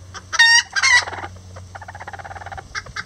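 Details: Rare Lavender bantams, miniature roosters with a hen, building a nest: two loud grating squawks followed by a steady string of quick, quieter clucks.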